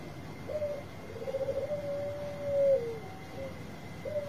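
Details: Softer song of a Bangkok zebra dove, kept to prompt reluctant birds: a short coo, a stuttering rolling phrase running into a long level coo, then brief trailing notes over a faint constant hum.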